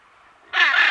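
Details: Hyacinth macaw pair recorded at medium-close range, other parrots and birds in the background: after half a second of faint murmur, one loud, raucous, grating screech bursts in and holds steadily to the end.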